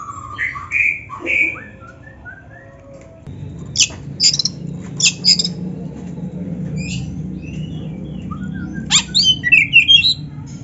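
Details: Oriental magpie-robin, a caged songbird, in a training recording for kept birds: scattered sweet whistles and short buzzy high notes in spaced bursts over a steady low hum.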